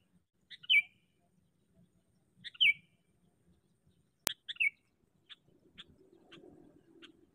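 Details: Sooty-headed bulbul serving as a decoy for catching bulbuls: sharp, falling chirps repeated about every two seconds, a loud click, then softer ticking notes over a low rustle.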